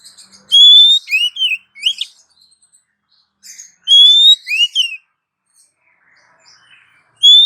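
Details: Female Oriental magpie-robin calling to the male, a sought-after lure sound: loud rising whistles followed by quick sweeping chirps in short phrases, repeated after brief pauses, with faint chatter in the background.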